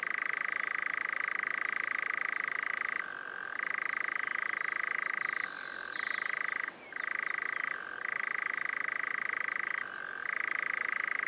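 A European nightjar churrs in a long, dry, mechanical trill that runs on almost without pause, briefly dipping in pitch every couple of seconds.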